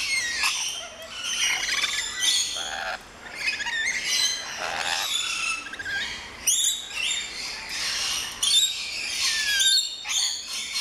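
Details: Captive rainbow lorikeets in a walk-in lorikeet garden at an orchid farm in Luttelgeest, Netherlands, filmed at opening time, keep up a continuous, overlapping chatter of harsh, high screeches and shrill squawks with no quiet gaps.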